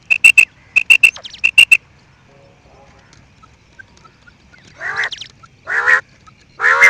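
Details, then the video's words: A quail gives three quick bursts of sharp, clipped three-note calls, followed by several harsh, nasal squawks near the end. "New and nice sound of quail"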